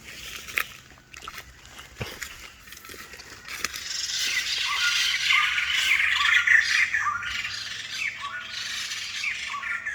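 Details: White-crested laughingthrush, a rare bird, with scattered clicks and harsh notes building into a sustained, noisy cackling chorus from about four seconds on.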